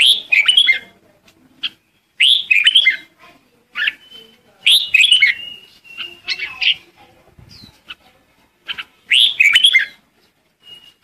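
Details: Red-whiskered bulbul singing a lure song to call the flock: repeated bright, bubbling whistled phrases with rapid up-and-down notes, delivered in bursts every couple of seconds, with a few softer chirps and thin whistles between.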